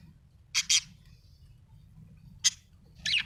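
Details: Budgerigar chirping: short, bright, high-pitched chirps in a quick double burst, a single note about two seconds later, then a busier run of scratchy chatter at the end over a low background hum.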